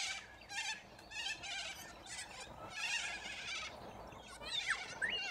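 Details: Corella cockatoos in a large flock feeding from root grass in Australia; dense, grating screeches rise and fall in quick succession, with short whistled squeaks toward the end.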